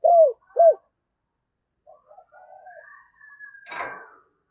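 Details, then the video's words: Decoy spotted dove cooing at Tet to attract wild doves: two strong, short, falling coos, then faint soft murmuring notes and a sharp click at the end. "Tiếng Chim Cu Mồi Thúc Gù Cực Hay và Hắp Dẫn Để Anh Em Kích Bổi Mùa Tết"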